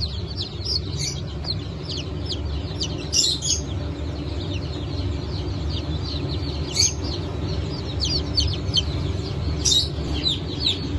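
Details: Chicks of the Brahma, Phoenix, Sultan and Appenzeller breeds, hatched 9 May 2024, keep up a steady chorus of high peeps, broken by a few sharp clicks or knocks, over a continuous low hum.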